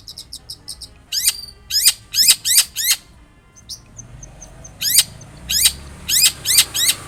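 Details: Long-tailed shrike giving loud, harsh rasping notes that sweep downward, in uneven bursts of two to four, with a short faint high twitter in a pause; used to prompt a shrike to reply.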